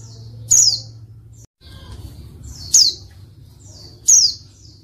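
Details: Female white-eye call intended to provoke reluctant males into song; three bright, high, falling chirps spaced over several seconds, a brief cut in the low background hum between the first two.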